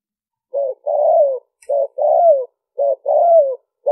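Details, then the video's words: Spotted dove giving the liêu ròng cooing style, used to lure wild doves: three phrases, each a short low coo followed by a longer, slightly descending coo, repeated about once a second. Background otherwise silent. "Tiếng chim cu gáy mp3 liêu ròng kích bổi hiệu quả"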